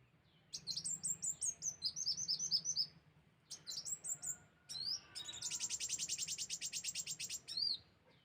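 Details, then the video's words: Sunbird calling for use as a bird lure: quick trains of sharp, high-pitched chirps, then a fast, even buzzy rattle of rapid notes near the end. "suara pikat kolibri Wulung"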